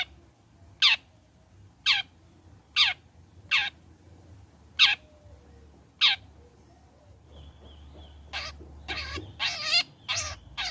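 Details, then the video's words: Long-tailed shrike sound played as a lure to get other shrikes singing: single sharp, sweeping notes spaced about a second apart, then a quick cluster of harsh, buzzy chattering notes at the end. "PANCINGAN CENDET AGAR BUNYI"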